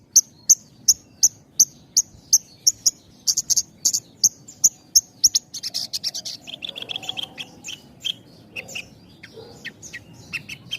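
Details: Javan bush lark song with tight spacing, meant to coax untrained and half-trained birds: evenly spaced very high chips speed up into a dense jumble of clicks and lower whistles.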